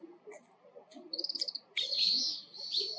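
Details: Oriental greenfinch gives a quick, high trill of about seven ticking notes (the kiri-kiri call type) and then a long, buzzy, wheezing 'biin' song note, with faint background chatter that possibly includes a brown-eared bulbul.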